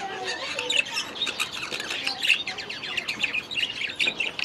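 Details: Budgies chattering in their aviary: constant dense high warbling with rapid chirps and squeaks, a few brighter whistled notes standing out among the flock.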